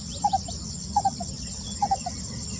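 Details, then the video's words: Lesser Coucal song recorded 28 May 2020: three groups of two quick, hollow, mid-pitched notes with a softer trailing note, repeated about every 0.8 seconds, against a constant insect chorus and low background rumble. "番鵑宏亮的鳴叫聲 Lesser Coucal Singing バンケンの歌声"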